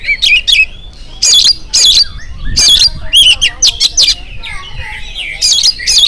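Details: Morning song of an oriental magpie-robin, meant to spur other magpie-robins into singing. Strong, scratchy bursts alternate with bright whistled slurs in quick succession, with brief gaps between loud phrases.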